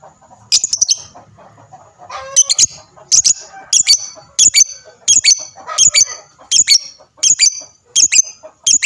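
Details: Lovebird song used to make other lovebirds answer, with steady runs of sharp, high, twittering chirps coming in pairs and triplets about every two thirds of a second.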